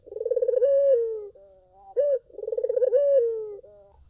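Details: Lure song of a collared dove meant to make other doves reply: a throbbing rolling coo that stretches into a long falling note, a quieter level tone, then a short higher burst; the pattern is repeated twice.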